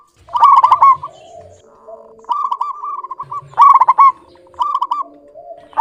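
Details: Clear-voiced local zebra dove, calling eagerly as a lure bird: loud bursts of rapid stuttering notes alternating with level rolling trills, over a faint low steady hum.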